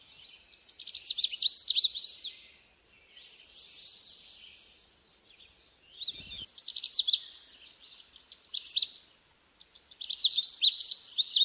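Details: Repeated songs from a Canada warbler: loud, hurried bursts of sharp, high, chippy warbling, separated by short softer buzzy stretches. Four phrases follow one another quickly, and the last runs into a long stream of rapid notes.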